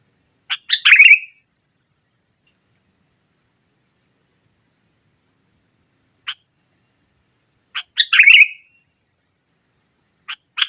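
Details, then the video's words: Sooty-headed bulbul in nggaruda-style song used to pressure rivals: sparse, widely spaced sharp notes with two short bubbly warbled phrases, separated by long silent gaps. "Suara Burung Kutilang Gacor Menekan Lawan NGGARUDA, Pancingan Kutilang Mogok"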